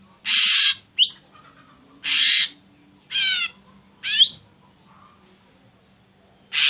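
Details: Ashy drongo recording used as a lure to prompt other birds to sing: harsh buzzy bursts alternate with sharp upward-sweeping whistles and a wavering ringing note, phrases spaced about a second apart.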